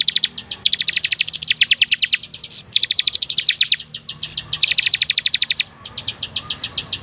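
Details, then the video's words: A bar-winged prinia sings in full voice on a training master track. Long runs of fast, bright, clipped notes repeat in several bursts separated by short gaps, with the later phrases softer. "masteran 100% terbaik burung ciblek gacor"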